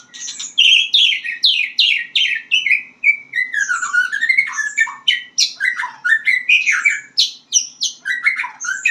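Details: Young white-rumped shama practising its song, a long, rich stream of steep downslurred whistles, twisting warbles and sharp high notes, phrases tumbling one after another for nine seconds.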